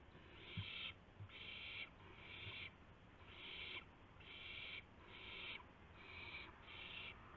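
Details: Owl call at 5:50 AM on March 26, 2016, around a gopher and mouse delivered as prey; a steady run of eight raspy, hiss-like bursts, each under a second, separated by short quiet gaps.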